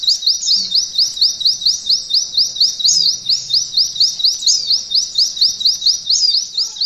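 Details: A long, even chain of sharp rising whistles from a mountain white-eye, about two per second, sung in the canary-imitating long-shot style used to train canaries for contests.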